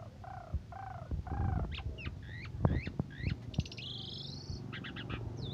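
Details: Asian pied starling singing in morning and evening condition, its song said to stir up other birds and used for training them: low nasal harmonic notes, then hooked whistles, a rising buzzy trill and clipped notes, over a rumbling background.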